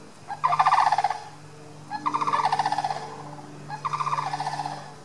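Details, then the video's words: Sandhill cranes walking down a neighbourhood street hurry away from a dog that followed them, calling as they go: three loud, rolling, rattled bugles, about a second each and spaced roughly every one and a half seconds, over a steady low hum. "The sound of Sandhill Cranes"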